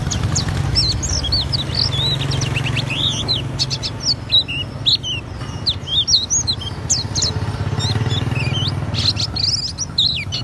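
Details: Auri Oriental white-eye in full ngriwik song, unloading its fill-in phrases: a continuous stream of thin, high, rapid chirps and rising and falling whistles, with a loud low rumbling hum underneath.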